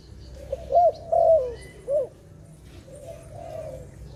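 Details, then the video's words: Dove recorded in a bird-trapping setting: three low, rounded cooing notes in quick succession, the middle one longest and fullest, followed by softer, fainter coos over a steady low background rumble. "Sound of dove"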